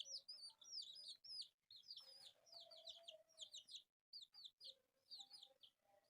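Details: Four colourful pet chicks playing, giving a dense stream of shrill, downward-sliding peeps, many overlapping and repeated rapidly, with brief silent gaps between bursts.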